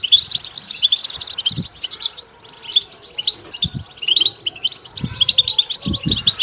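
A goldfinch sings a fast, continuous high twittering of tinkling notes and buzzy trills, broken by a few soft low knocks.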